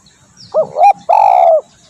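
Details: Spotted dove call meant for luring birds: one loud phrase of a short two-part rising-falling coo, then a long, steady, slightly falling coo, set against a quiet background.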